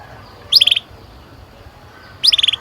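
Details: Canary heard in two short bursts of quick, stuttering high chirps about two seconds apart over a faint low background hum. The song is meant to lure young canaries into singing.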